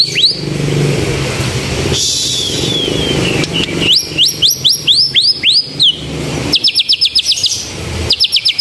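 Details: Canary-like singing from a white-rumped shama, delivered vigorously: loud upswept whistles in quick series, then crisp clipped notes rattled off rapidly in short bursts, set against steady road traffic and engine noise.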